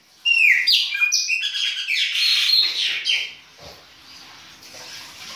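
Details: Chopi blackbird singing in winter in the baianinho manner: a sudden loud phrase of quick whistled and buzzy notes, repeated in a rapid, slightly uneven rhythm, then dropping to soft background.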